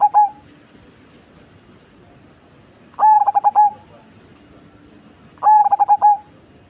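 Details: Big-bodied Cemani zebra dove with a heavy, bass-toned voice repeating its cooing phrase about every two and a half seconds. Each phrase is a steady note broken into rapid stuttering beats and ends on a long coo, with a soft steady hum behind.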